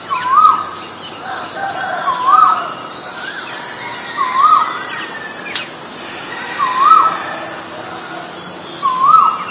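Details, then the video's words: Repeated Asian koel calls from a recording of male and female birds: five loud upslurred whistles about every two seconds, with softer chirps of other birds and one sharp tick in between. "นกกาเหว่าตัวผู้และตัวเมีย (Asian koel, Male, Female)"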